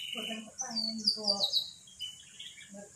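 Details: Low, harmonic, speech-like syllables from a magpie-robin said to say "Pak Jokowi", in three short phrases topped by high thin whistles, with a faint final whistle and soft syllable.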